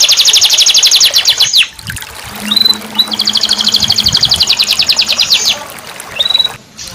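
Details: Canary song played as therapy for a canary that has stopped singing: fast high buzzy trills separated by short rising whistles, with a low steady hum in the background.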